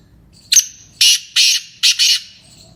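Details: Black francolin, the Sindhi kala tetar, delivering a full harsh call: a short sharp note, then two long grating notes, then a clipped note running into a final rasping one, loud and buzzy against near silence.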